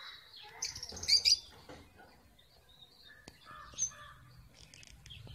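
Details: Caged red avadavat (strawberry finch) building a nest on 24 February 2017, the male not yet showing red plumage; a few sharp high chirps cluster around the first second, then scattered thin notes over low background rumble.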